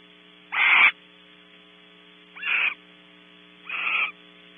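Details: Barn owl pair at a nesting cavity, Starr Ranch, California, after flying in together. Three short, harsh screeching bursts, the first loudest and the others softer, spaced one to two seconds apart over faint hum.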